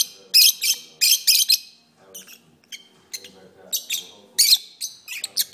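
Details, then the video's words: Singing pet lovebirds: loud clusters of harsh, shrill chirps in twos and threes, separated by quieter squeaks and pauses, low room murmur underneath. "my Lovebirds are singing"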